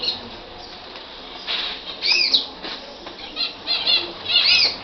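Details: Libyan canary singing a series of high arched whistles and quick repeated trill notes in loud bursts roughly every second, after a quieter opening.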